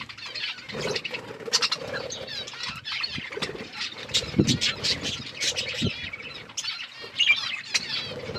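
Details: Pet budgies feeding and playing, keeping up continuous rapid chirps and chattering clicks over a faint low hum, with brief rustling knocks.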